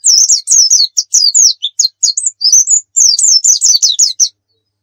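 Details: Javan white-eye of the dakun type from Pacitan, singing lively in the full-fill, 'nembak' style used as a tutor recording: rapid high twittering phrases of downslurred whistles, one brief pause midway, then another fast run.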